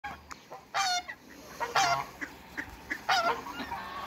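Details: African geese on a farm calling while meeting a newcomer: loud, harmonic, nasal honks in three main bursts about a second apart, each a quick stack of rising-falling notes, with softer honks between and faint background hiss.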